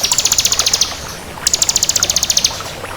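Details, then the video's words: Crystal-type bar-winged prinia in lively song: two fast, high ticking trills of about a second each, separated by a short pause, clear and loud over faint hiss. "Suara Burung Ciblek Kristal Gacor"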